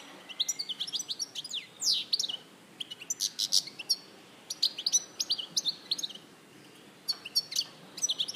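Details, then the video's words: European goldfinch singing at Larache in 2014: rapid, bright, high twittering with liquid chirps and buzzy notes in bursts, short pauses between phrases, over a quiet background hiss. "Jilguero Larache 2014"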